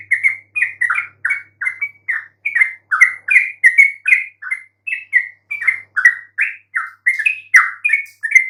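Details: Lure song of a yellow-vented bulbul, meant to make even quiet birds respond: a continuous run of short, clipped, chirping notes that rise and fall rapidly, packed closely with barely any pauses.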